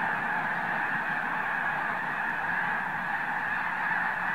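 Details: A huge flock of Arctic white geese takes off en masse at Summer Lake Wildlife Area, Oregon. Many honking voices blend into a steady, thick clamour throughout.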